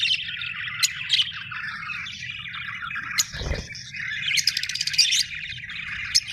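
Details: Happy budgies chirping: scratchy warbled chatter with sharp squeaks, a short dull thump near the middle, then a livelier run of rapid high twittering toward the end.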